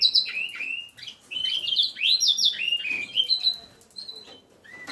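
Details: Reichenow's seedeater (Serinus reichenowi) x Eurasian bullfinch (Pyrrhula pyrrhula) hybrid sings a lively, varied warble of sweet whistles and rapid twittering notes, mostly high-pitched, with a few brief pauses between phrases.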